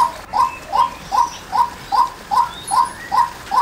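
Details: Repeated call of a female white-breasted waterhen: brief, sharply hooked notes delivered at a brisk, regular pace of roughly nine notes in under four seconds. Faint thin whistles from other birds sit above.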